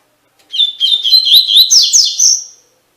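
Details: Double-collared seedeater song used as a training recording for captive males, with the song style called Tui Tui Fibra: a two-second phrase of sweet whistled notes around one pitch, ending in a few rising, slurred buzzy notes and a trailing whistle.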